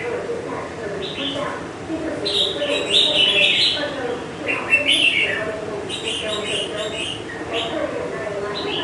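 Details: Semi-wild red-whiskered bulbul, kept caged for five months, sings short bright warbled phrases in bursts over about nine seconds, with a steady low hum and people talking quietly underneath.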